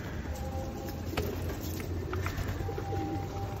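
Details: Feral pigeons fed in rainy weather at Osu Kannon, 2021: brief low hoarse coos rise over constant rain noise, with a faint tonal hum and low traffic rumble beneath.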